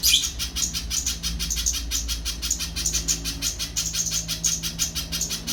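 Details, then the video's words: Little spiderhunter singing a persistent run of crisp, high-pitched chip notes at an even, rapid pace, accompanied by a faint low drone. "Burung Pijantung Pisang || Tengkek buto mini"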